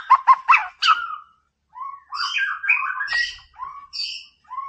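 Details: White-rumped shama singing to provoke a rival: a quick burst of sharp clipped notes, then after a pause a varied run of warbled whistles and buzzy high phrases, with short gaps.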